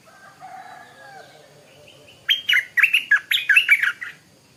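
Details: Stripe-throated bulbul singing in the morning: after softer background whistles, a loud burst of rapid bubbling, chattering notes with sharp rises and falls lasting about two seconds.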